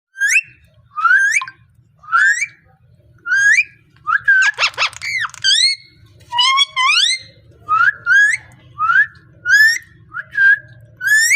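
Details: Parrot, described as speaking, giving short rising whistled calls with rich overtones, repeated roughly once a second, with a harsh broadband screech near the middle and a faint low hum beneath.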